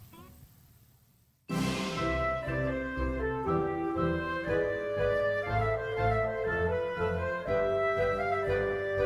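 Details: Quiet background hiss, then instrumental music with sustained tones begins abruptly and continues to the end.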